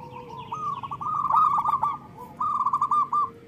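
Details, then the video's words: Zebra doves of local stock singing loudly as a lure for reluctant birds: a long rolling trill of clipped notes, a short gap, then a second briefer trill. "Perkutut lokal gacor Suara Besar Pancingan Perkutut Cepat Bunyi Gacor"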